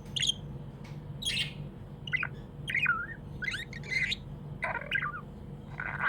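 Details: Budgerigar chirping happily as a pet: bright chirps and squeaky warbles roughly every half second, some with harsh buzzy edges, low hum underneath throughout.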